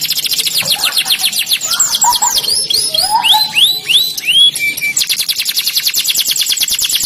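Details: Singing canary delivering a varied phrase: fast high trills, then looping upward-curving whistles at several pitches, a brief level whistle, and a final rapid dry rattle.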